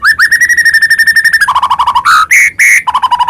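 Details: Lively white-rumped shama song meant to provoke other shamas to sing. Quick repeated notes, then lower buzzy repeats, two long ringing whistles, and a final run of short lower notes.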